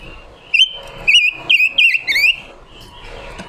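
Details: Female red-billed leiothrix decoy singing in a training session: five quick rising and falling whistled phrases in a lively row, bright and warbled, over faint background chirps.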